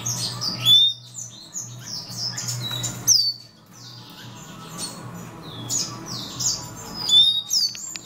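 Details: Black-throated canary (Crithagra atrogularis somereni) at a breeding bay where a female has chicks a few days old: thin, high chirps and short rising tweets in quick overlapping bursts, with a low steady hum behind early on.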